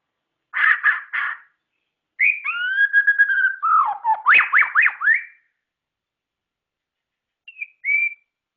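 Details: Murai batu (White-rumped Shama), a songbird kept by hobbyists: three rapid harsh notes, then clear whistles rising and sliding, a fast run of looping whistled phrases, and two short whistles after a pause.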